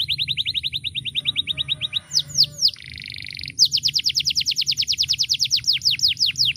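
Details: Singing canary, a loud, varied, melodious seed-eater used as a tutor for other birds: a steady high trill, a few sweeping notes, a brief buzzy burst, then a very rapid, sharp, descending-note trill.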